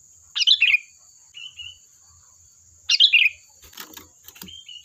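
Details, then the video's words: Sooty-headed bulbul song, played to tempt other bulbuls to respond: two liquid, tumbling phrases about two and a half seconds apart, a short quiet whistle between them, and some rustling noise near the end. "Suara burung Kutilang Gacor || Ampuh untuk pancingan, dijamin nyaut"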